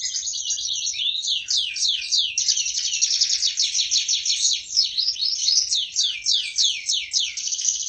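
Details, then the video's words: Canary singing, described as a lively, prize-winning bird: a long unbroken run of rapid high trills and downward-sweeping whistled notes, tumbling phrases repeated several times a second. "Burung kenari gacor berprestasi."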